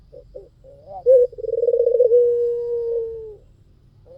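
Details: White Barbary dove in full song, used as a lure: a few short soft notes, then a throbbing rolled coo that runs into one long, steady, slightly falling coo.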